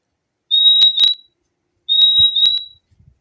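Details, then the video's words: Purple-throated euphonia (fim-fim) singing: two paired high, pure whistled notes, each a short clear 'fim-fim', the second pair about 1.4 seconds after the first, on a silent background. "O LINDO SOM DO PÁSSARO FIMFIM"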